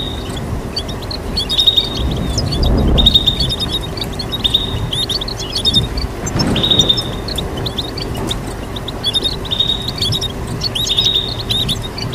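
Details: Mixed calls and chirps from goldfinch mules, goldfinch-canary crosses: sustained high whistled notes alternating with fast scattered twitters, a soft knock or rustle now and then, and a steady low hum throughout.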